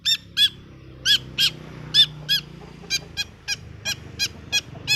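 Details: Cendet, or long-tailed shrike, lure call meant to stir a lazy, stressed bird into singing: a rapid string of harsh, nasal notes, about fourteen in five seconds, loud at first and then slightly quicker.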